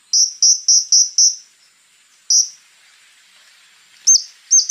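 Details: Scarlet-backed flowerpecker in rough-burst song: five quick high buzzy chips in a row, a pause, one more chip, then two sharp upslurred notes.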